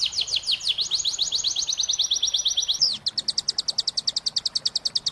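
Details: Tutor song of a moulting young canary, used to train contest birds. It starts with a fast trill of sweeping notes for about three seconds, then switches to a crisp, evenly spaced rattle of short high notes.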